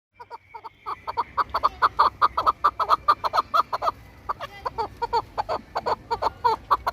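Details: Chukar partridge kept as a hunting and fighting bird, giving a fast run of sharp, clucking chuck notes in steady rhythm, about three per second, with the cadence briefly broken midway, then resuming.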